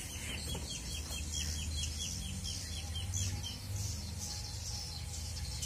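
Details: Swiftlets calling: a rapid series of high, thin twittering chirps that continues throughout, over a steady low hum in the background.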